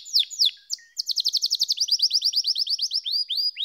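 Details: Canary song with a few sharp downslurred notes, then a long rapid series of bright, slightly buzzy rolling notes delivered several per second.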